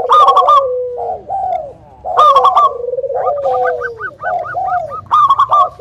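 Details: Local Indonesian zebra doves singing actively, used as a lure to prompt other doves to sing: overlapping cooing voices, rolling staccato trills and long gliding coos repeated in bursts about every two seconds.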